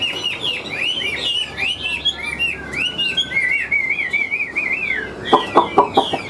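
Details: Caged Chinese hwamei, taken from the wild, delivering a loud, strong-voiced song of looping whistled notes that slide up and down in quick succession. A few sharp clicks or taps are heard toward the end.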